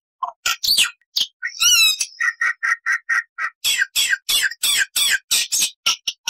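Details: Black-winged myna (Acridotheres melanopterus) singing a full, varied song of long and short phrases: a harsh chatter and a warbled whistle, then a run of loud squawky notes repeated about four times a second.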